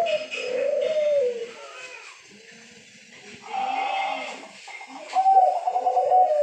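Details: Actively calling zebra dove (perkutut) gives long, gently wavering coos with a soft pause between them, and faint background chatter.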